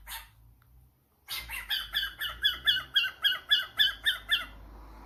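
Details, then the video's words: Pet cockatiel answering a phone call indoors: after a short squawk and a pause, a steady run of about twelve harsh, rhythmic chirps, roughly four per second, in a small room. "Koko the cockatiel fam: Answering a phone call"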